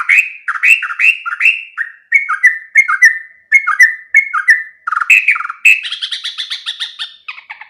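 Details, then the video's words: Sooty-headed bulbul (trocok) song from a cage-bird training recording: short warbled, bubbly phrases dipping and rising, repeated about twice a second, ending in a faster chattering trill; no other sounds. "Masteran burung trocok macet total"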